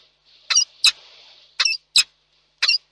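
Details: Peregrine falcons reunite at their Reda, Poland nest after a storm, 20:10 on 1 July 2022. Five rasping calls come in uneven pairs, each a short coarse burst over a faint background hiss.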